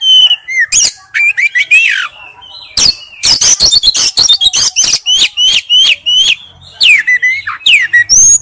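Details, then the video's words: A male Oriental magpie-robin calling for a female pours out a rapid, varied string of clear whistles, sweeping rising and falling notes, mixed with harsh scratchy bursts, nearly without pause. "chích chòe than gọi mái/chích chòe than trống kêu"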